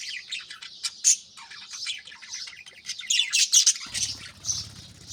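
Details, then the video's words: Budgerigars chattering early in the morning, steady high scratchy warbles and chirps from several birds, ending with a low rumbling flutter under the chatter. "بجریز کی خوبصورت صبح 🦜Beautiful Morning Vibes & Chirping Sounds"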